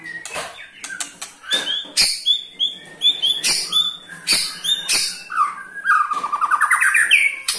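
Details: White-rumped shama ketrekan call, used to make other shamas sing: dense rapid rattling and chattering with sharp clicks and high whistled fragments, ending in a rising buzzy trill.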